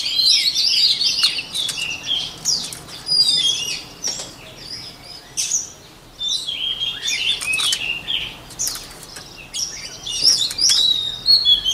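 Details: White-rumped shama singing, meant for voice training: a lively series of varied whistled phrases and sharp chips, about two or three phrases a second, with brief gaps between bursts.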